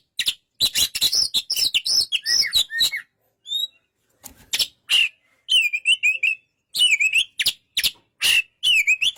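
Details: Rapid clicking notes and bright looping whistles from an Oriental magpie-robin, a pause with a faint high note, then repeated dipping whistled phrases spaced about a second apart.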